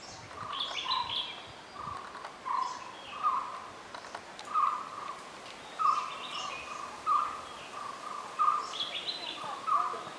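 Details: Indian blackbird (Turdus simillimus) at Nandi Hills repeats short, mellow low notes roughly once a second, with a few thin higher notes mixed in, over a soft outdoor hiss.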